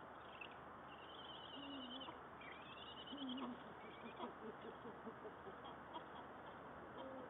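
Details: Estonian Eurasian eagle-owls on 1 February 2024: the male arrives in the nest house with a mouse, the female close behind. Low wavering hoot-like notes sound near the start and middle, with thin, high, drawn-out squealing calls over steady hiss.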